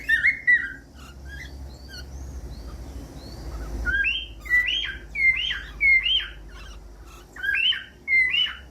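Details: Cockatiel sounds from a training compilation for pet cockatiels: scattered thin chirps at first over a low rumbling background, then a series of swooping, rising-and-falling whistled calls about once per second.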